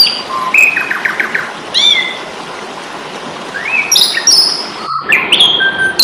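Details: Fighting song of an Asian pied starling for songbird training: a quick stuttered whistle series, a few slurred calls, a quiet gap, then loud harsh bursts and high whistles, over constant hiss.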